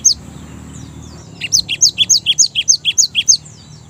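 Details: Java sparrow lure song, a single high note followed by a regular sequence of bright, sharp chips stepping between two pitches, around fourteen notes, faint hum beneath.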